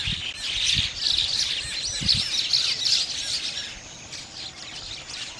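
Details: Calls of bank mynas, also known as Gang Shalik, a social riverbank-nesting bird living in flocks: many overlapping squawking and chirping notes, some bending up and down, with a few low knocks early on.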